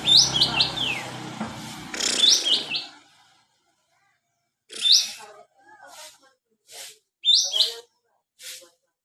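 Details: White-shouldered triller, known locally as kapas tembak, giving short high whistled descending notes in brief bursts, at first over a noisy background, then with pauses and scattered clicks.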